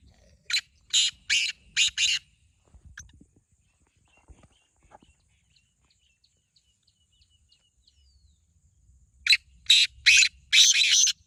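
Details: Black francolin, one of two birds compared in a calling contest, gives a phrase of four grating, buzzy notes, then a long near-silent pause, then another rasping four-note phrase at the end.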